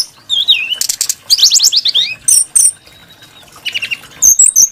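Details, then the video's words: A Brown-chested jungle flycatcher delivers a wavering whistle, then dense rapid trills and buzzy descending notes, a long thin tone and short high phrases. Its voice is varied and sweet. "Burung srdc menarik Hati pendengar nya"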